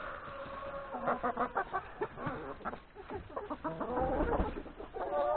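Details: Flock of chickens, hens with three roosters, at breakfast in a yard before going to the forest to graze; dense overlapping clucks and murmuring calls from many birds at once, with short louder squawks.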